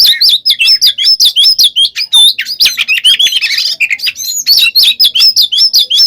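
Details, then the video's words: Fighting song of a kacer (oriental magpie-robin), played to provoke other birds: quick, tightly packed chirps and twisting whistles, about two to three notes each second, bright and high. "SUARA BURUNG kacer gacor NGEPLONG tarung ini AMPUH buat PANCINGAN KACER agar EMOSI NYAUT"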